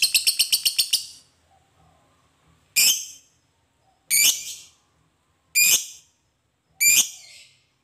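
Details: Fighter lovebird's long chatter (ngekek), used to provoke other lovebirds into answering: a quick run of about eight sharp rasping notes, then four loud harsh screeches spaced over a second apart.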